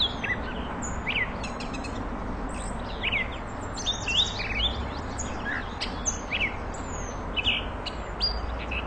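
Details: A catbird's song, offered as tutor song for magpie-robins, is a jumbled, nonstop string of squeaky, chattering, high phrases, each note brief and varied, over a low steady rumble.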